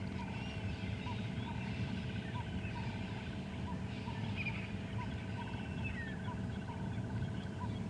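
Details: Ring-necked doves in full dawn chorus at sunrise on a cold August 26, 2015 morning coo in a steady run of short, hoarse notes, several overlapping, with thin calls of other birds and a deep engine rumble underneath.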